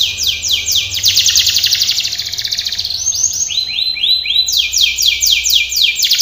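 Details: A Belgian canary sings a long, rapid run of high, sweeping trills and chirps, shifting between fast rolling phrases and clearer slurred notes, with a faint low hum beneath.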